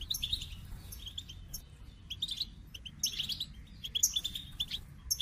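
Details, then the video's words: A somewhat quieter goldfinch sings in short clusters of high, thin, tinkling chirps and twitters, spaced roughly a second apart. "The Captivating Call of Goldfinches"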